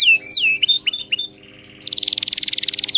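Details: Canary training song: looping down-slurred whistles and short chips, a brief quiet low buzz, then a loud, very rapid, evenly pulsed high trill.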